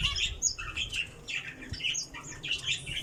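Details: Java sparrow giving rapid, slightly squawky mid-high chip notes in a steady chatter throughout, with faint low background noise.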